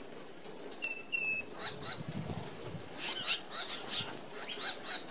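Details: Red-browed finches, an Australian native, feeding as a flock at a mesh-screened open aviary feeder. Brief, thin, high-pitched chirps repeat irregularly, with a couple of lower drawn-out notes early and fluttering wingbeat noise.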